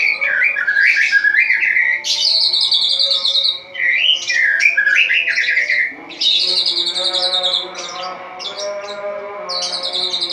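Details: Dawn song of a caged white-rumped shama, vigorous after the cage cover is lifted: bright whistled notes that climb in quick ladders, broken by high buzzy trills and brief pauses, phrases roughly every second or two.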